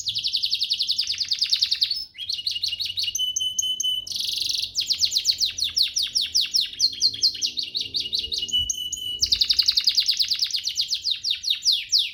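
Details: Canary master song meant for training other canaries to sing readily: long, loud run of rapid high trills and buzzy rattles, with short pure whistled notes and sudden changes of phrase, continuing almost without pause.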